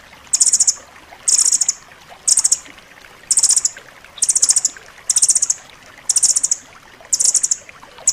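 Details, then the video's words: Nuthatch (rambatan loreng) song meant for tutoring caged birds: short, very high rattling bursts repeated steadily about once per second, each a quick tight cluster of sharp notes. "suara masteran rambatan loreng rapat tajam"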